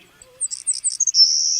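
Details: A Savannah sparrow gives a quick series of thin, very high chips, then a long, even, insect-like buzz, a call type suited to carrying across open fields and savannas; a soft thump ends it.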